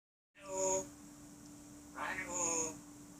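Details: African grey parrot kept indoors, giving two short harmonic calls about two seconds apart against a steady low hum.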